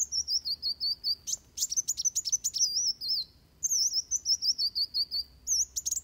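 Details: Van Hasselt's sunbird giving a combative song meant for training birds: continuous high, wavering whistled phrases with quick sharp chips, a short silent pause midway, then renewed rapid warbling.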